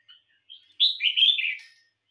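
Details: Red-whiskered bulbul, a kept bird in song competition, giving a short warbled phrase of bright, slurred notes in one burst lasting about one second, preceded by faint soft chirps.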